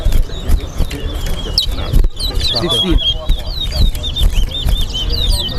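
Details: Competing chestnut-bellied seed finch (towa towa) in a bird race in Guyana at the Lamaha & Vlissengen Road ground, delivering a long run of repeated high whistled notes in steady rhythm amid talking, music and background hubbub.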